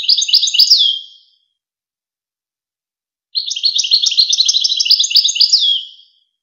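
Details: Loud, close goldfinch song from the famous Wakr Touzgha tape for tutoring young goldfinches and hybrids: fast liquid twittering phrases rich in trills, each closing with a clear downward slurred whistle, separated by a two-second pause.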